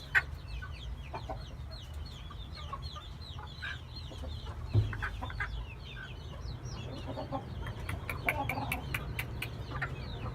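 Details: Oriental game bantam chickens give short clucks and high, quick chirps, several overlapping at once, over a steady low hum.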